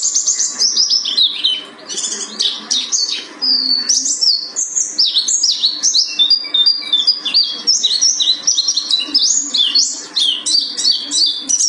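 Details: Mountain white-eye (pleci buxtoni) from Gunung Karang singing in the 'tembakan' shooting style: a long, dense stream of high, thin, rapid chirps and short downslurred whistles, nearly unbroken, with a faint low hum behind.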